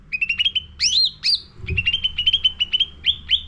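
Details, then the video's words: Caged sooty-headed bulbul song used as a lure for training birds: rapid runs of short chirps near one pitch, broken by loud sweeping rising-falling whistles. "Pancingan Cucak Ranting Gacor Isian Full"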